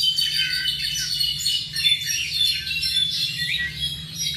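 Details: Seven-month-old tropical mockingbird producing a continuous high jumble of twittered and squeaky notes with quick rising slurs, packed densely without pauses; a low steady hum runs beneath.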